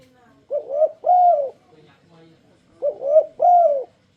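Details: Turtle dove's enticing call to get other turtle doves singing. Two bursts of mellow, rounded cooing, each a short note followed by a longer drawn-out coo, separated by a quiet gap with a few faint murmurs.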